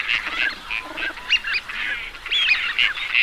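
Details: Teal calling in a group, with bursts of nasal honking notes and high whistles interrupted by short quieter gaps.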